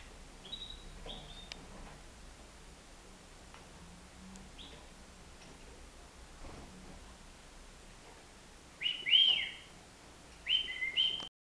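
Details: European goldfinch, nine months old, flying free in a house living room; after quiet faint ticks, two sharp, high, slurred twitters come close together near the end.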